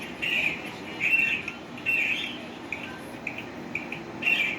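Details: A green pet parrot gives short, nasal, whistled squawks in separate bursts about a second apart, some slurred and wavering, in a quiet indoor setting.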